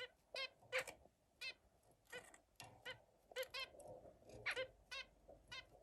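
A zebra finch gives a run of short, nasal, toy-trumpet beeps in quick irregular succession.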